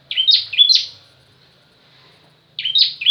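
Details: Bar-winged prinia ('ciblek kristal') giving the 'pranjak tamu' song variation: three bright, high chirps slurring downward in quick succession, a silent gap of over a second, then the same three-note burst again.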